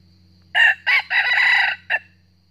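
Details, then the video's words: Young wild red junglefowl cockerel in northern Vietnam crowing a fierce challenge at a trapped decoy: a harsh four-part crow, two short notes, a long sustained middle section near a second and a half, and a clipped final note. "bẫy gà rừng miền bắc bổi về gáy đấu cực gắt mới"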